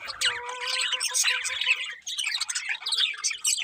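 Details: Morning birdsong with high chattering chirps and a few clear whistled tones near the start, followed by a looser scatter of tweets.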